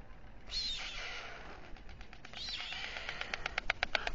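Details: Nest of white storks on a town hall tower in Alcalá de Henares, Spain, at dusk as the male feeds two chicks. Wavering mewing calls, then a fast run of dry rattling clicks toward the end.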